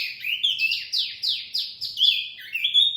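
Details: Bird-luring song of a wambi mini: a rapid string of loud high downslurred whistles, roughly three per second, rising and falling slightly in pitch and closing on a short level whistle.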